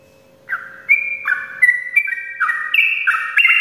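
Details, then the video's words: Sooty-headed bulbul singing a long, rapid morning song: after half a second of quiet, a run of clear whistled notes stepping up and down, each slurring into the next, with a faint steady hum underneath. "ropelan panjang trucukan gacor pagi hari untuk pancingan trucuk malas ropel"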